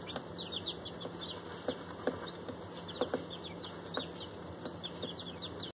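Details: Several day-old bantam chicks, five Silkies and three fluffy bantams among them, kept indoors, peep repeatedly: many brief, high, thin notes in loose overlapping bursts, with occasional soft clicks, a low hum and a steady whine behind.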